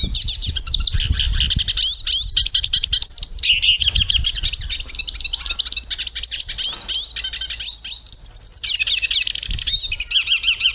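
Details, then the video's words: Portuguese-type European goldfinch pouring out a long, busy twittering song of tinkling notes, slurred whistles and buzzy trills with barely a break, over a soft low rumble. "Canto de pintassilgo - canto de pintassilgo português . o belo canto da voz do pintassilgo"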